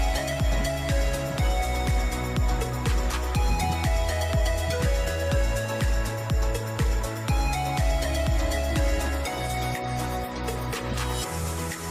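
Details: Upbeat electronic music with a steady bass beat plays throughout, with no animal sounds audible. The track fills the whole recording.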